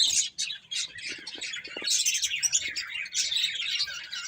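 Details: Several finches feeding, giving a dense chorus of thin, high chirps and tweets that overlap almost continuously, with brief dips in loudness.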